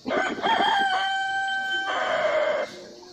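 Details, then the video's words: Domestic rooster gives a loud crow of about three seconds, broken opening notes leading into a long, steady, harmonic middle and a falling close, with quiet background. "Murga Ku Ku Song-murga dance-Murga ki awaz-rooster crowing"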